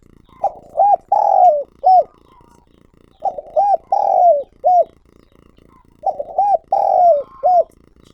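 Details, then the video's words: Decoy spotted dove giving its calling coo, recorded directly. Three phrases come about every three seconds. Each has a short coo, a rounded note, a long sliding-down coo and a clipped ending. There is faint low murmur between phrases. "Tiếng Chim Cu Gáy Mồi Gáy Gọi"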